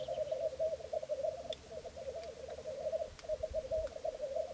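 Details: Wild black grouse displaying at a lek on the wet Florarna mire, Sweden, 150 km north of Stockholm, mid April 2013, caught by cameras: a continuous low, bubbling, cooing rookoo chorus with a few faint clicks.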